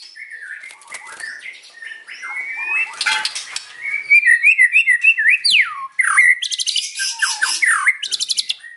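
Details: White-rumped shama singing in the afternoon, a varied run of whistled slurs and sweeps that turns into fast rattling trills and dense, harsh repeated notes near the end.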